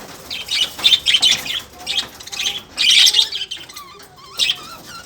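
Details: Lovebirds giving high, sharp chirps and squawks in short bursts, some notes rising and falling, with quieter twitters between louder clusters and a faint steady background hiss.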